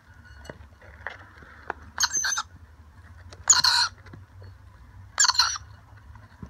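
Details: Wild rainbow lorikeet family, parents and young, visiting to share dry nectar mix from a bowl and a spoon. Three short, harsh, screeching bursts arrive roughly one and a half seconds apart over a low hum and faint clicks.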